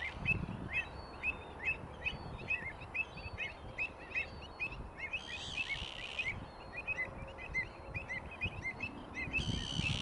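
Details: Flock of Greater flamingos on South Atanasovsko Lake, Bulgaria, July 2020, during monthly bird monitoring; continuous nasal honks from many birds overlapping throughout, with two brief hissing bursts of noise and low background rumble.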